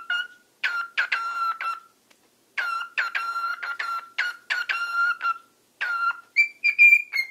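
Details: A male cockatiel sings his own improvised song, not mimicked, a run of clear whistled notes broken by quick chirps, ending on higher warbling whistles.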